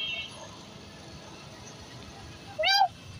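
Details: A talking common hill myna, which speaks like a human, utters one brief, nasal, human-like syllable that rises then dips, late in an otherwise quiet stretch of low background hum.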